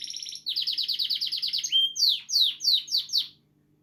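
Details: Happy, healthy pet canary in song: a fast bubbling trill, a brief clear whistle, then a series of five loud down-slurred notes repeated about every quarter second before falling silent.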